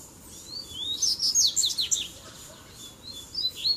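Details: Double-collared seedeater song from a mix of Tui Tui, Zel Zel and Mateiro song styles, played to fire up other birds: high, thin, fast twittering with short rising and falling whistled notes, densest in the middle, over a low steady hiss.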